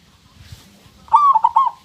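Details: Local zebra dove (perkutut) singing a single short cooing phrase near the end: a rising-falling whistled coo followed by quick rolling notes, after faint low rumbles.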